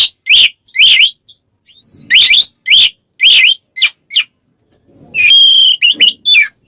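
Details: White-rumped shama calling a rival in ngeplong style: a rapid series of harsh, raspy upswept chips about twice a second, followed by a sustained clear whistle and a few quick notes.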